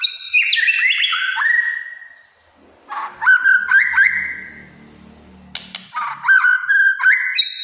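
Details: Energetic White-rumped shama song: cascading whistled notes descending in steps, scratchy accents, then after a pause repeated loud phrases of sliding whistles with clicks; faint low hum in the background.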